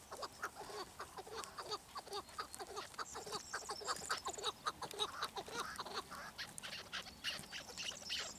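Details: Chukar partridge calls: a steady run of short harsh chuck notes, somewhat regular at nearly two per second, fading slightly in the middle before picking up again over soft background noise.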